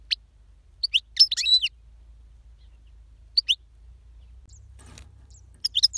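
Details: European goldfinch giving scattered song phrases: brief bright twittering notes and slurred chirps in small groups, with a long quiet gap in the middle.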